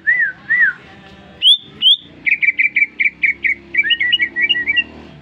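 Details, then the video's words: Caged greater green leafbird, newly bought, singing persistently in response to whistling: two looping whistles, two sharp high notes, then rapid repeated chirping notes ending in a jumbled twittering phrase. "Testing Cucak Ijo Gacor baru beli kena siul langsung ngoceh"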